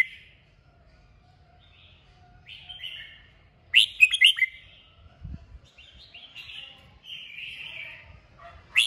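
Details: Red-whiskered bulbul singing a 'kích bổi' song to provoke singing: short whistled phrases separated by pauses, a loud burst of sharp ringing notes mid-way, more warbles, and a final sharp note, with a brief low thump.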